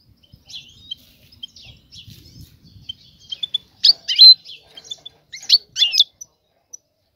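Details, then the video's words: Mating call of a female European goldfinch seeking a male: soft thin notes at first, then louder clusters of sharp, high twittering chirps near the end, with a clean quiet background. "أنثى الحسون جاهزة, تبحث عن الذكر للتزاوج"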